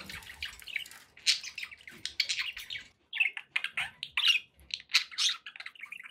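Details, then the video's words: Cheerful pet budgerigars keep up continuous scratchy chattering, with rising squeaks and buzzy trills, a brief lull just before the middle, and a soft low rumble underneath. "happy budgie sounds"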